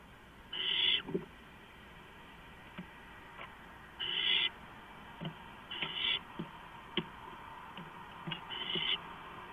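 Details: Owls in a nest box, three birds with some moving in and out, at 4:45 AM on April 6, 2015; four rasping, hissing screeches spaced a few seconds apart, with soft clicks and shuffling between them.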